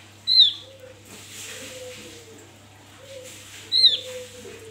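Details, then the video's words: Wild Javan grey-throated white-eye, sung in the wild and used as a lure for other birds: two sharp, high, downslurred whistled notes about three seconds apart over a steady low hum, with faint soft low cooing arcs between. "Opior jawa buka paruh ngalas Untuk pancingan"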